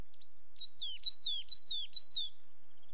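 A coal tit gives a quick run of high, thin, sweeping notes, about seven in under two seconds, over a faint low hum.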